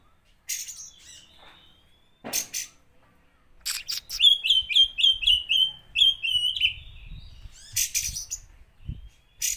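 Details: Oriental magpie-robin song used to provoke other magpie-robins: a run of about ten clear, downslurred whistled notes repeated rapidly, framed by harsh scratchy bursts and short rasping notes.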